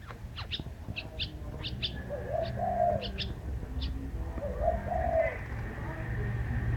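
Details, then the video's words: Bird singing: a run of high chirps early on, then two warbling low coos that rise and dip, over a constant low background hum. "Chim hót hay"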